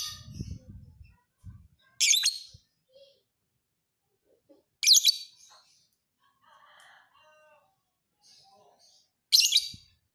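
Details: Fighter lovebird recorded as training material for other birds: three sharp, grating high shrieks spaced a few seconds apart, with low rumbling noise at the start and faint twittering between calls.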